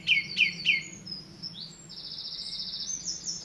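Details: Song thrush singing at WWT Caerlaverock's Avenue: three sharp, repeated downslurred notes, followed by thinner high whistles and a sustained hiss-like high sound.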